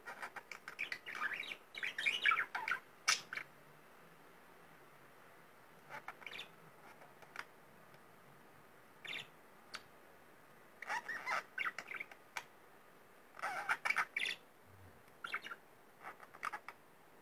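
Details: A pet budgerigar playing with its owner's fingers chatters in bursts of scratchy chirps and squawks, with quiet gaps between.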